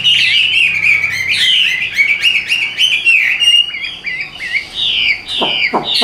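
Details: Caged Hwamei, golden-legged and golden-billed, a Vietnamese songbird, pouring out fast varied whistled phrases, rolling and slurred, with repeated quick notes and some sharp sweeps at the end.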